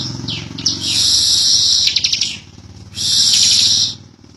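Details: Bar-winged prinia giving two drawn-out buzzy trills, the first about one and a half seconds long and the second about one second. The song is high and rasping, in 'ngebren' style. A faint low hum is audible.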